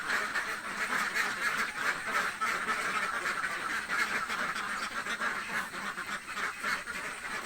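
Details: A chorus of very hungry village ducks, loud nasal quacks repeated quickly and irregularly by many birds at once.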